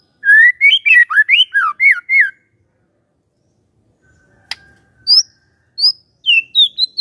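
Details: Lure song of a magpie-robin, meant to make a quiet bird respond: a fast run of looping whistled notes, then a pause with a click, then separate high sweet whistles and lower slurred phrases.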